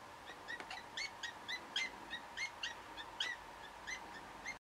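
A European green woodpecker gives a loud, laughing series of about fifteen ringing notes, evenly paced, over a faint steady background hum.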